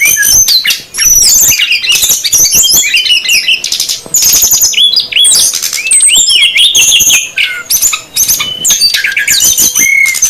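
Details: Female and male brown-chested jungle flycatchers calling excitedly on a lure for wild birds: bright high chirps, looping whistled slurs and harsh bursts in dense groups, broken by a few brief pauses.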